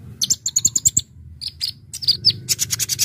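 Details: Brown-throated sunbird singing actively in a full fill-in style, used for luring birds: a quick run of sharp high chips, a pause, then slurred high notes and a dense burst of rapid chatter at the end.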